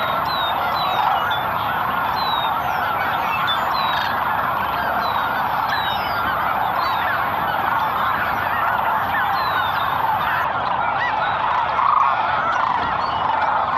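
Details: A large flock of Sandhill Cranes departing in the morning at Merced National Wildlife Refuge, California, in winter (23 February 2021), gives a dense, continuous chorus of rolling, trumpeting calls, with goose-like honks mixed in throughout.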